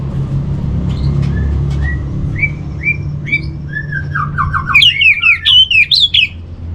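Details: Orange-headed thrush training song: soft, spaced, slurred whistles that build into a loud, rapid series of sharp descending whistled phrases at the end, over a constant low hum.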